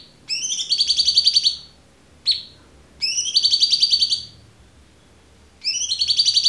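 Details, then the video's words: Cucak cungkok singing clearly for songbird training: three long rattling trills with rich overtones, each over a second long, separated by pauses, plus one short sharp note. "MASTERAN AMPUH CUCAK CUNGKOK suara jernih"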